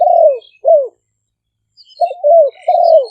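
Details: Spotted dove decoy song recorded live in Roi Et, Thailand, for attracting wild doves; long falling coos, a pause, then a run of three coos, light chirps of other birds.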